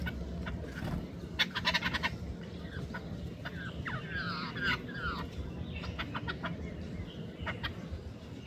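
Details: Hungry jungle babblers (Argya striata), struggling for food, give harsh, rasping chatter in quick bursts, mixed with squeaky rising notes, over a steady low background rumble.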